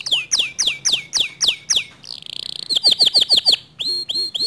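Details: Canary singing in a way said to spur other canaries to join in. Steep downward-sweeping whistles repeat in a series, then a brief buzzy rattle, a run of quicker swept notes, and a few separate falling notes.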